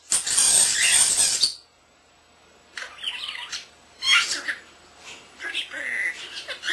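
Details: Young caged common starling, under a year old, indoors, mimicking sounds: a loud harsh rasping burst about a second and a half long, silence, then scattered short scratchy chirps and squeaks.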